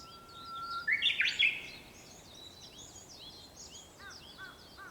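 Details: Japanese bush warbler at sunrise, 4 May 2021: a plain whistled note rises into a loud, quick rolling flourish, followed by soft high chirps from other birds and a few lower, short downslurred notes.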